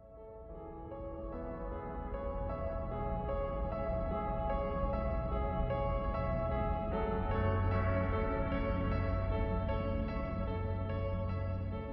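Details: Soft ambient keyboard music with sustained chords plays throughout, with no animal sounds present.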